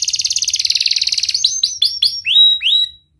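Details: Singing canary, played to coax lazy, mute canaries into voice: a fast rattling trill of high notes for over a second, then a series of sharp downward-sweeping whistles before falling silent.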